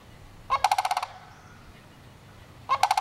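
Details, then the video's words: Sandhill crane rattling twice, each call a fast series of loud, throaty pulses, the second starting about two seconds after the first, against a quiet background. "sandhill crane gawking"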